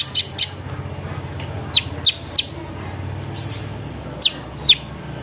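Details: Sunbird song used as a lure to make other sunbirds sing: sharp high chips and short downward-sweeping notes at irregular intervals over a low background hum.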